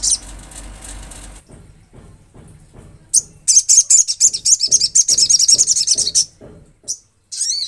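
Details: Olive-backed sunbird from the wild bursting into a dense, fast, high-pitched twittering song lasting about three seconds. Soft rhythmic low thumps run beneath it, and one rising squeak comes near the end.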